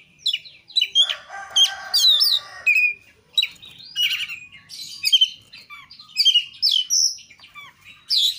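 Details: Oriental magpie-robin singing as a lure to prompt other caged birds to sing: a loud, rich medley of sharp rising and falling whistles, trills and harsh notes in quick bursts with short pauses.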